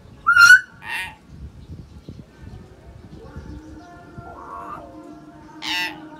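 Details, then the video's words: Common hill myna recording meant to get a silent bird singing again: a loud, rich, slightly rising note and a second burst, then quieter warbled notes and a final harsh harmonic call, with low background hum. "BEO MACET LANGSUNG CEPAT RESPON"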